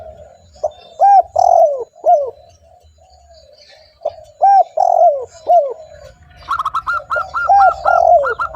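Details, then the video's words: Lure recording of a persistently calling spotted dove meant to attract other doves: two phrases of soft, arched coos separated by a pause, then rapid higher repeated notes over a low pulsing hum. "TEKUKUR GACOR 💯 Ampuh untuk pancingan burung tekukur bahan"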